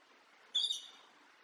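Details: Parrot chirping, natural calling: one short, bright, high-pitched chirp with layered overtones, sliding slightly downward and fading within a fraction of a second, then a faint steady hiss.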